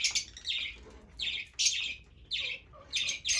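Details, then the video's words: Fischer's lovebirds giving short harsh squawks, about five shrill buzzy bursts each lasting a fraction of a second, separated by brief quiet gaps. "طيور الفيشر"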